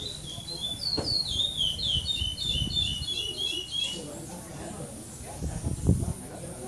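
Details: Brown-plumaged chestnut-bellied seed finch, second-placed brown bird singing without repetition at stage 7 of the Maranhão classic praia-style song tournament, São Domingos do Maranhão, Brazil, 2014: a quick run of sweet, slurred whistles for about three seconds, then crowd murmur and thumps.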